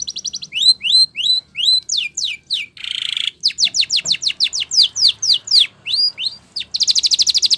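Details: Training song of a Spanish Timbrado canary: rising whistled notes in pairs, downward sweeps, a buzzy burst, a long run of quick descending notes, ending in a fast dense trill.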